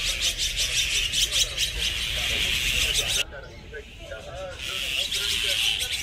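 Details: Group of Azure-winged magpies, a resident Korean bird that lives in flocks: repeated rasping, scratchy calls in quick succession, a brief drop in the steady high background hum midway, faint low chattering notes beneath.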